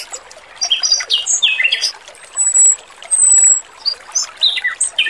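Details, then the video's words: A male robin sings a clear, lively training song: scattered downslurred whistles and chirps and thin high whistled notes, over trickling water. "MASTERAN BURUNG ROBIN JANTAN GACOR, SUARA MERDU DAN JERNIH"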